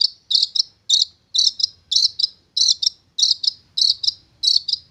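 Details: Long-tailed shrike, a young wild bird tamed for around three months and singing readily: rasping high notes delivered in doubled pairs, a longer scratchy note followed by a short clipped one, repeated about every half second.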